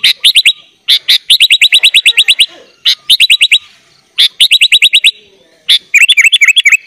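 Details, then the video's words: Sooty-headed bulbul singing gacor with full isian for training young birds: rapid, evenly repeated sharp chips in rattling runs of eight to twelve notes, broken by brief pauses, ending in looping whistled phrases. "kutilang gacor full isian"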